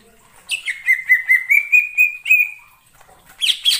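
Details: A greater green leafbird in wild forest utters a brisk run of around ten short pulsed notes on a slowly rising pitch, a held whistle, pause, then scratchy high chirps.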